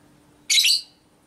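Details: Single harsh, buzzy, high-pitched chatter burst from a female lovebird, recorded as ngekek to provoke other lovebirds, with a quiet background.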